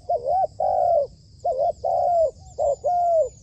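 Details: Decoy spotted dove under training on a rooftop for dove trapping, repeating a coo phrase three times: a wavering double hoot followed by a long, gently falling coo, evenly spaced.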